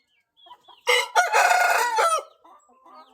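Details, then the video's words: Índio Gigante rooster giving a loud, drawn-out crow of over a second, a short opening burst then a sustained harsh, richly harmonic note that fades out, with soft small-bird chirps before and after. "canto do galo índio"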